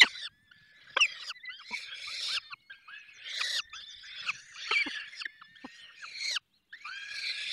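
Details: Falcon nest in the Barycz Valley during feeding: a busy jumble of high, downslurred squeals, raspy wheezes and sharp chips from the nest, nearly continuous and overlapping.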